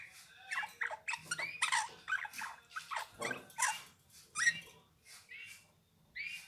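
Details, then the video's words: A Eurasian bullfinch sings a soft, halting medley of piped whistles mixed with creaky, scratchy notes in short bursts, apparently indoors. "Chant bouvreuil pivoine"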